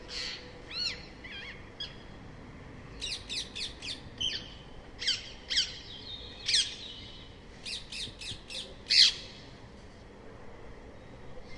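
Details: Rose-ringed parakeet screeching in irregular bursts, short runs of three or four harsh, shrill squawks separated by pauses, some calls louder and closer than others.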